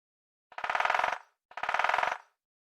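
Woodpecker drumming: two rapid bursts of hard, even knocks, each under a second and slightly fading at the end, with a short pause between.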